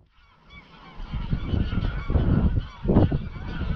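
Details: Greylag geese flying at dusk from a grazing field to Llyn Maelog near Llanfaelog, Anglesey, part of a 200-300 strong evening flight; overlapping nasal honks from many birds over heavy low wind rumble.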